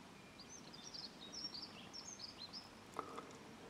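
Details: Dunnock singing: a faint, rapid, high-pitched warble of jumbled squeaky notes lasting about two seconds, set against steady background noise, with a brief lower sound near the end.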